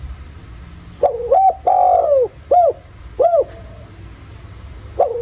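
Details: Spotted dove in the 'giọng thổ' voice style, used as a lure to get other doves cooing in the countryside: low mellow coos, a rising two-part note, a long falling croon, then two short hooked notes, with a new phrase starting near the end.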